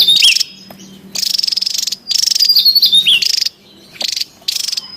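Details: Javan tesia calling in the wild, used to lure and train birds: a hooked whistled note, then several high rapid buzzy bursts with thin wavering whistles woven through, separated by quiet pauses.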